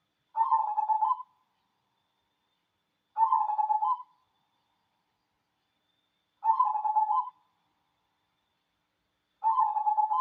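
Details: Cooing song of a wild local zebra dove of the cemani type: four short, trilled, mid-pitched coo phrases, each about a second long, spaced about three seconds apart, with nothing else audible.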